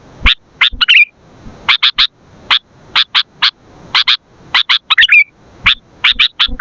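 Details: Sooty-headed bulbul singing strongly as a lure and tutor for other birds: clipped, bright chirps repeated in twos and threes, with a brief warbled flourish near the start and again near the middle.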